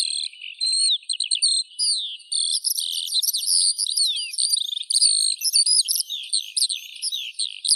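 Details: Eurasian skylark in full song: a long, rambling cascade of high chirps, rapid trills and swooping whistles that grows busier as it goes.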